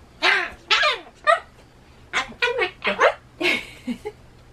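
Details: A pet Ducorps's (Solomon) cockatoo indoors gives about nine loud, harsh, raspy screeches in quick, uneven succession, suddenly breaking off its talking, over a faint low hum. It screams at loud noises such as town broadcasts and election cars.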